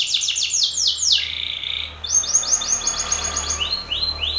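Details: Belgian canary male singing loudly at a rival male, calling out an opponent: fast descending sweeps, then a steady buzzy trill, then quick repeated rising notes, all high and bright in a small room.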